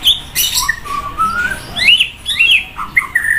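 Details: White-rumped shama sunning at a roadside, very loud song with a rich variety of notes: a long, slowly rising whistle, then sharp upswept whistled notes and brief harsh bursts, delivered in uneven bursts.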